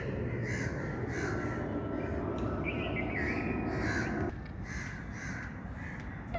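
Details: Birds caw in quick, harsh repeated notes outdoors, with one rising call near the middle. A loud low rumble cuts off partway and leaves the calls clearer.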